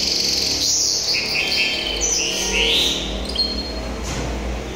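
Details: Hybrid canary (tuffahi), recorded 2023: dense high warbling with rolling trills and upward slurred notes, steady throughout, against a constant low hum.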